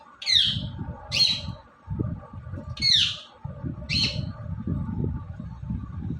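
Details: Short shrill downward-sweeping shrieks, four in all about a second apart, from an Indian ringneck parrot that talks and dances, over a constant low hum.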